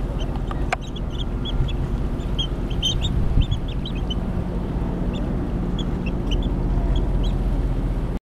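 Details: A foraging flock of American avocets (Recurvirostra americana), cooperating to find food in a spoil-area pool in December, gives a scatter of short, high, sharp calls from several birds close together over a steady low rumble of wind or distant traffic.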